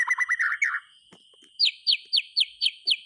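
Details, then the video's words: Caged white-rumped shama singing, used to prompt silent or molting shamas to sing: a run of quick rich notes near mid pitch, a pause, then a string of about eight sharp descending high whistles at steady pace. "SUARA BURUNG MURAY TERGACOR COCOK UNTUK PANCINGAN MASTERAN"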